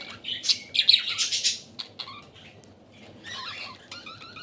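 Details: Budgerigars eating water spinach at Katlapur, Savar, Dhaka, give harsh high squawks and chattering warbles in a loud opening burst, then softer scattered chirps.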